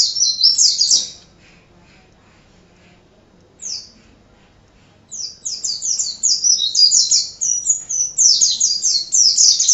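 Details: Pleci, the Oriental white-eye, singing 'gacor' for tutoring other birds: a brief high twitter, a silence with one lone slurred note, then a dense run of quick, sharp, falling chirps to the end.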